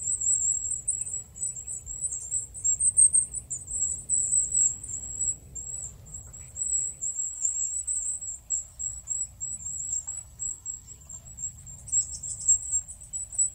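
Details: Wild goldcrest singing a long, very high-pitched stream of quick, thin, trembling notes, louder in bursts at the start and end, with faint low background hum.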